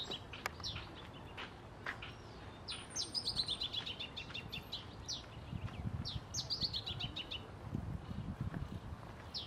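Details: Male Masked Yellowthroat (Geothlypis aequinoctialis) at Costanera Sur Ecological Reserve, Buenos Aires, on 1 October 2022, sings two quick, bright phrases of tumbling, descending notes a few seconds apart, with scattered chips from other birds over low rumble.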